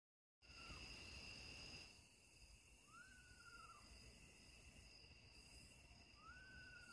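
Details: Eastern screech owl calling in a backyard just after sunset: a soft whistled note rising then held level and sliding down, given twice about three seconds apart, over a steady high insect drone and low background rumble.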